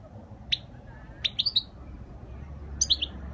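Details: Spanish goldfinch, its song described as flawless: sparse, bright chirped notes, one lone note followed by two quick clusters of three sharp twittering notes, over a low steady background hum.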